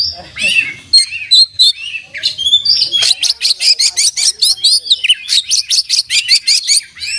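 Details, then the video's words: Oriental magpie-robin in lively song, full of learned filler phrases. Sweet whistled slurs and wavering notes lead into a long, rapid run of sharp staccato chips repeated several times a second, steady to the end. "kacer gacor buka paruh full isian dan masteran"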